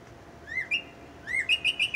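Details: A male Northern Cardinal's morning song: clear, loud whistles, a rising slurred note, then a rapid run of short, bright repeated notes, given twice.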